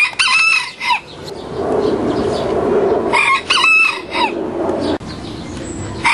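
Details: Two roosters, a big one teaching a young one to crow, giving loud harsh cock-a-doodle-doo crows at the start and again around three seconds, with a ragged final crow and clucking between.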